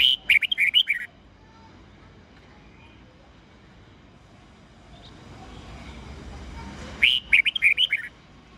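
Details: Morning song of a red-whiskered bulbul in mature forest voice, played as a teaching model for young birds; two quick bursts of sweet whistled notes, one at the start and another after a six-second gap with faint rumble between.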